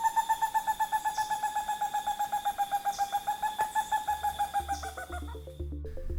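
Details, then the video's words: Stresemann's Bristlefront, critically endangered, possibly extinct, of Brazil's Atlantic forest near Mata do Passarinho Reserve: a long, steady run of clear whistled notes, about five a second, sliding slowly lower, with soft music underneath that takes over at the end. "Alexander Zaidan and Marcos Perez managed an audio recording of the bristlefront."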